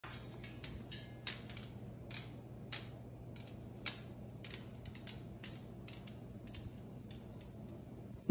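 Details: Indoor creaking and irregular clicking over a steady low hum, with no animal voice.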